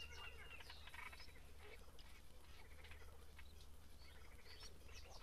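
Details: Breeding great reed warbler at Grachevka: rough, croaking notes strung into a choppy phrase, with brief higher squeaks and a constant low rumble underneath.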